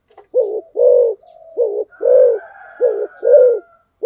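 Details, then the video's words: Spotted dove in speedy 'thúc gù' cooing style, three rapid pairs of deep, mellow coos, a clipped note then a fuller drawn one, with a faint thin whistle behind. "cu gáy tốc độ/ Cu gáy thúc gù"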